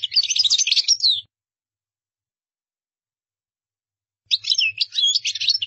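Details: Two bursts of high, jangling goldfinch twitter in the qdara style, one at the start and one after a silence of three seconds, each made of rapid chirps and buzzy notes.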